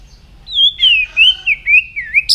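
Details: White-rumped shama singing in the morning during voice training: a run of clear whistled phrases sliding up and down, each about a quarter second, delivered in quick succession with a brief high note at the end.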